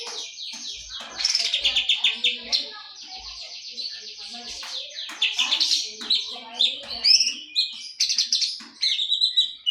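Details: Greater green leafbird in breeding condition, kept bird, singing a rich, fast, varied high song of sweet whistles, trills and sharp chirps in quick changing phrases, with brief low knocking sounds in the background.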